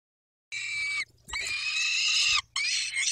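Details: Peregrine falcon calls from the nest as the male tends the females, 23 May 2021 at 19:40: after a half-second silence, loud, grating wails follow almost without a break, one long drawn-out cry flanked by shorter ones, over a low hum.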